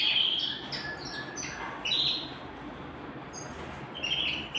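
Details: Canary at home giving scattered short chirps and sliding whistled notes, a few loud high phrases separated by quieter gaps.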